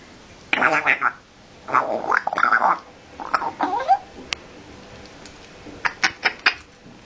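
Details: Pet parrot imitating a pig: a series of harsh, gargling, grunting bursts with buzzy harmonic texture, followed by a few short sharp clicks near the end, recorded indoors.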